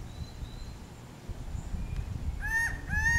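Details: A laughing falcon ("guaco") at Casa Tropical, Manuel Antonio, Costa Rica, gives two loud, nasal honking notes about half a second apart, each dropping slightly at the end, over a low rumble of wind.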